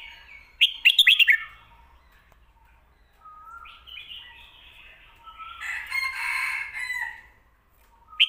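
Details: Red-whiskered bulbul song in the styles locally called 'fried noodles' and 'shaking bottle', used for teaching birds kept at home: sharp, rich chattering notes near one second, a thin steady whistle, then a long harsh warbling phrase and a closing note.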